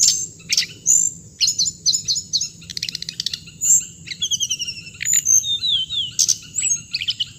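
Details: Hồng hạnh songbird singing a rapid, varied song of high whistled notes, buzzy trills and quick chirp series, with short pauses between phrases; a steady high tone runs beneath throughout.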